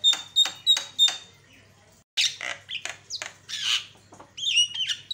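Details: Javan myna lure song, used to provoke other mynas. It opens with four sharp, buzzy notes, each carrying a clear whistled tone, then breaks into loud, harsh, varied chattering with squeaky whistled notes. A faint low hum sits underneath throughout.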